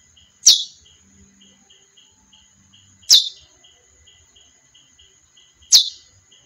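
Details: A female chestnut-bellied seed finch utters single bright, clipped chips, roughly one every two and a half seconds, while a soft regular ticking and a constant high-pitched whine run underneath.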